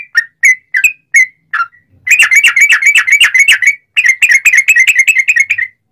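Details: Lure song of a sooty-headed bulbul (trucukan) in long rapid 'ropel' style: several separate whistled notes, then two fast chattering bursts of quick bubbly notes.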